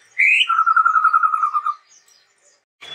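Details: Chestnut-rumped babbler in song, opening with a rising whistle that flows into a fast, steady low trill of about a second and a half, followed by a brief noisy burst.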